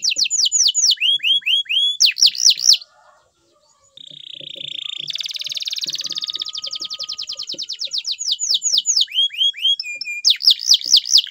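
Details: Loud canary song mixing sweeping whistles, a silent gap, a drawn-out note into a long rattling trill, then more repeated swooping notes.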